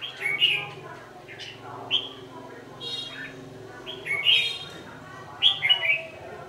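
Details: A decoy red-whiskered bulbul sings as wild birds are trapped in the dark evening of 27 November 2018, giving clear, fluty warbled phrases every second or so over a continuous low hum.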